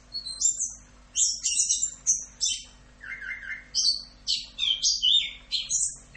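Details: Anis kembang, the orange-headed thrush, sings a full 'rock'n roll' masteran: dense, scratchy high bursts, then a lower run of quick repeated chattering notes, followed by more shrill rapid phrases, with a soft hum in the background.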